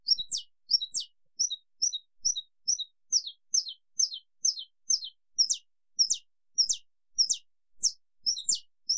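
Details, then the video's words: Saffron finch (canário-da-terra) in long "estalo" song: a steady string of sharp, high chips and clicky notes, about two or three a second, in shifting pairs, with no other sounds. "Canto canário-da-terra estalo canto longo"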